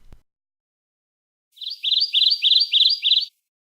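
Kentucky Warbler song: six rapid, rolling two-part phrases, blurred together and steady in pitch, about three per second, with a brief low thump before.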